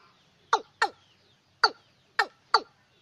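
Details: Watercock call played at night to attract birds: five hollow, falling notes, a pair and then three spaced singles, over a quiet background.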